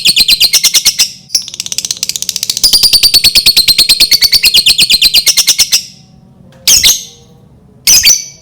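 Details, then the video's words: Lovebird singing to provoke other lovebirds into song: a long, fast, high-pitched chattering trill of rapid repeated notes for about six seconds, then two short loud bursts after a pause. "Pancingan Lovebird dijamin Lovebird lain langsung bunyi"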